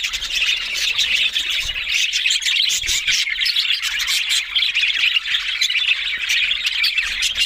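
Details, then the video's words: A group of budgerigars keeps up busy, steady warbling, with overlapping chirps, scratchy squawks and quick ticking notes running unbroken from start to end. "Beautiful Talking Budgies Australian Parrot Sounds"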